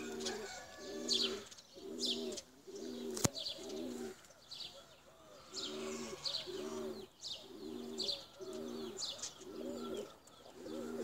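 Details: Cooing from tumbler pigeons: deep, layered, purring phrases come in regular blocks about every second. Busy high-pitched chirping from other birds fills the background, with one sharp tap near the start.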